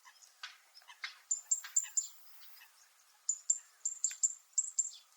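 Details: On Miyako Island, Japan, a zitting cisticola starts with scattered softer chips. Then it breaks into a run of sharp, high, metallic notes repeated quickly in the second half.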